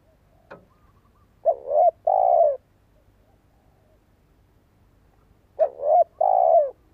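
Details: Spotted dove decoy bird with a fine voice, kept to make other doves answer and help young birds start calling. Two cooing phrases about four seconds apart, each a soft short note then two longer, mellow, slightly falling coos, in a quiet setting.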